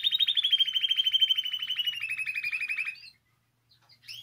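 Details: Canary in song meant to encourage other canaries to sing, delivering a long rapid rolling trill that slowly falls in pitch over three seconds, ending abruptly, followed by a short silence and a brief high note.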